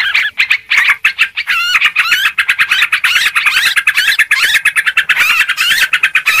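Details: Yellow-vented bulbul lure call, noisy and excited: a dense, nearly unbroken rattle of fast repeated looping notes, roughly three per second, with harsh hiss-like chatter layered above.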